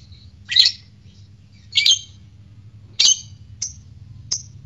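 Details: Lovebird, fighter type, in a recording meant to trigger courtship and ngekek song in others: a few sharp, high rasping squawks followed by thinner short chips, irregularly spaced over a quiet low hum.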